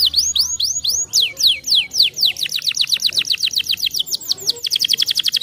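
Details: Canary (Serinus canaria) song used to stimulate other canaries to sing: fast runs of high, sweeping whistled notes shifting into quicker, buzzier trills, about four notes a second.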